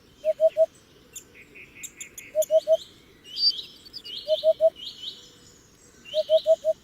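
Hoopoe giving soft, low hollow 'oop-oop-oop' triplets about every two seconds, with thin higher chirps from other birds in the background.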